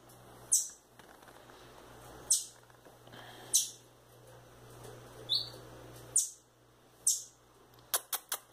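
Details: Young rufous-bellied thrush chicks, a female and a male, loose indoors in a house; sharp, very high squeaky chirps, each dropping quickly in pitch, given irregularly about every second or two, with a faint steady low hum behind.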